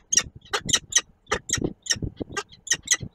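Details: At a nest in Koszalin on 10 March 2022, an adult peregrine falcon with its young gives short raspy bursts rich in high overtones, roughly every quarter second, over soft low thumps and scraping.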